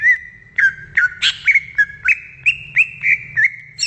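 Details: Greater green leafbird song from the wild, a steady series of short whistled notes, each with a quick upward or downward flick, repeated about three times a second.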